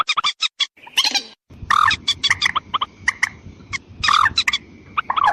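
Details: White-breasted waterhen calling to lure females and males: a jumble of croaking, honking harmonic notes, some drawn out and bending, over a persistent thin whine and low hum.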